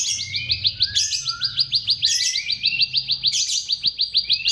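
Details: Bar-winged prinia filler song meant to lure mute birds into song: fast series of hooked, upslurred chirps, about four a second, broken by occasional higher sharp notes and lower slurred whistles, with a low hum underneath.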